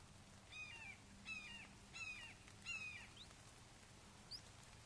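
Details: Red-shouldered hawks at a nest in Wake Forest on 29 May 2023 at 08:38, as the father brings a frog to a fledgling: four harsh, descending kee-ah notes with rich overtones, about one per 0.7 seconds, over a low steady hum.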